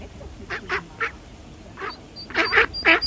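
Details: Duck at a pond with ducklings: a string of coarse nasal quacks over steady background noise, with faint high peeps between them.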